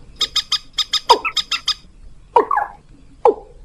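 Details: Bird lure of mandar rail and watercock sounds: a quick burst of evenly spaced clipped harmonic notes, then three slurred descending 'kok' calls with a brief squawk between them.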